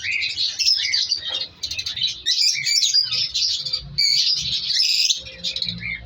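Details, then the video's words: African lovebirds of colour mutations breeding in a colony aviary during winter, several birds chattering in shrill, scratchy bursts with brief pauses between busy stretches. "Breeding Progress Colour Love birds |African love birds colony Update"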